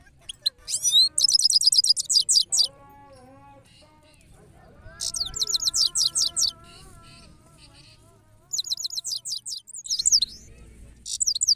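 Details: Goldfinch song in bursts of high, fast twittering trills separated by pauses, with softer, lower steady whistled tones sounding in the gaps.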